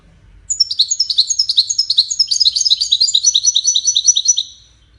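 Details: European goldfinch delivering a Widani song, played so chicks can learn it: a dense run of about four seconds of tumbling, high, liquid twitters and rapid trills, busy and jangling without a pause.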